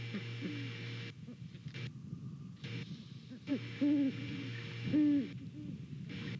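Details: Pair of Great Horned Owls hooting to each other while checking out a nest in Savannah on a November morning, captured by a nest camera: low, soft hoots, a few short muffled notes, then two stronger hoots near the end, over broadband camera hiss.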